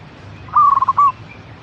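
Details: Local zebra dove song used as a lure to prompt caged birds to sing: a single cooing phrase with a clear opening note, a quick stuttering trill and a held closing coo, over a low background hum.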